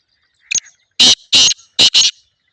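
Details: Black francolin, known as Sindhi teetar, giving its loud harsh grating call: a short lead-in note followed by four rasping, emphatic syllables in two pairs, very close and distorted.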